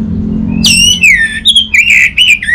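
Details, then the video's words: Anis merah, the orange-headed thrush, giving clear whistled notes that slur downward and upward, each brief phrase varying in pitch, sung to stimulate silent birds, with a low hum in the background. "Burung ANIS MERAH Macetan Terpancing Gacor Didengarkan Kicauan Ini"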